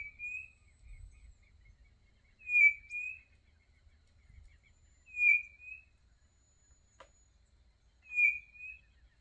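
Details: Quail song heard on a country smallholding, a clear high whistle with a faint second note, repeated about every two and a half seconds against a quiet background.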